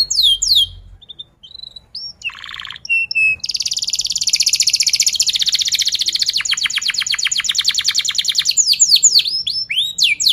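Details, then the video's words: Canary song meant to coax young canaries into singing: scattered short whistles and a buzzy burst, then a long rapid rolling trill and sharp down-slurred notes at the end. "Pancingan kenari paud belajar bunyi"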